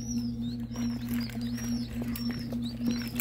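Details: Ringneck pheasant chicks fresh from the incubator, from eggs brought from Nebraska, peep in clear arched whistles, several per second, with a constant machine hum underneath.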